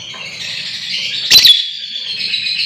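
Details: Lovebird trill used as a lure to provoke ngekek: a continuous rough high rattling trill with one louder harsh burst midway, over a faint low murmur.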